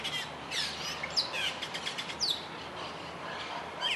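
Austral Blackbird giving scattered clear, slurred whistles, some rising and some falling, about one every second, over a steady hiss of background noise.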